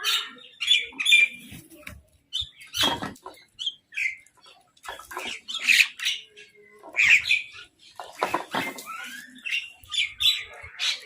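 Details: Crows fighting for food with a mynah nearby: scattered harsh squawks and rasping calls, irregular and overlapping, with sharp clicks and thumps between them.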